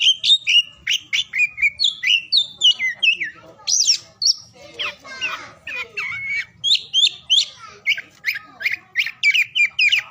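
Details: Kacer, or oriental magpie-robin, singing through morning, noon and afternoon: a long, busy stream of loud whistled notes and chips, some sharp and rising, broken by a scratchy, jumbled phrase near the middle.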